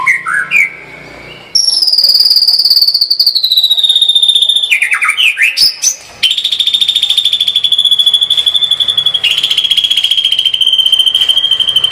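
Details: Energetic tembakan-style song of a white-rumped shama: brief low whistles, then a long, sustained, very rapid high trill that runs with one short break to the end.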